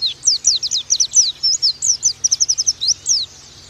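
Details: Oriental white-eye tutor song for training birds to sing: fast run of sharp high whistled notes, each a quick downward slur, closely spaced and somewhat irregular, ending abruptly before the final half second.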